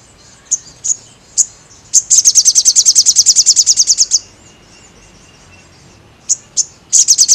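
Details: Crested jay song used for training caged birds: rapid dry chattering trills of high sharp notes, a long burst of about twenty repeated notes, scattered single chips and short pauses between bursts.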